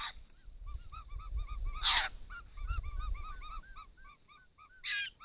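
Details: Wild White-winged Choughs in Australia, recorded by camera trap at a pond while drinking; short downslurred piping whistles repeat rapidly in chorus, broken by harsh rasping bursts, with low rumbling noise.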